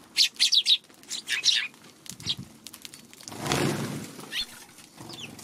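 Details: Eurasian tree sparrows by a feeding spot on a March 16 afternoon, cautious around a Godzilla figure; a rapid run of four chirps and a few more, followed by a loud rush of wingbeats and a light late chirp.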